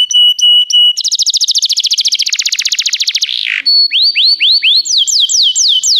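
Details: Canary singing a training song for other canaries: short piping notes, then a long rapid buzzing trill, a harsh burst, and a run of rising whistled swoops repeated in quick succession.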